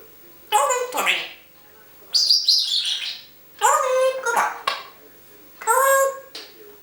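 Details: Pet African grey parrot talking, recorded with a hidden camera indoors; four speech-like chattering phrases of about a second each, with harmonic, whistled tones, separated by short silences.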